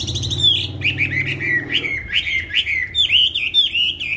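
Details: Caged songbird, kept on steady feed and bought on 19 May 2020, singing a lively run of whistled, slurred notes that dip and rise, repeated quickly; a low indoor hum underlies the first two seconds.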